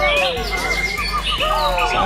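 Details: White-rumped shama song at a noisy singing contest in Thailand: clear whistled notes sweeping up and down in quick, varied phrases, with several birds overlapping and faint voices behind.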